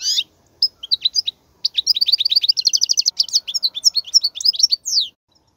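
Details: Goldfinch song to teach young goldfinches. After a few scattered chirps, a quick series of evenly spaced tinkling notes speeds into a twittering run, ending with a downward slurred note.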